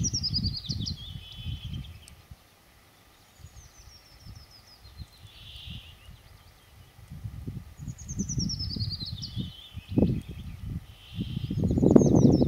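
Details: Woodlark performing in June at Murmansk: repeated phrases of rapid, sliding, liquid whistles that tumble downward, each phrase separated by pauses, while loud low rumbling thumps of wind or handling noise come and go.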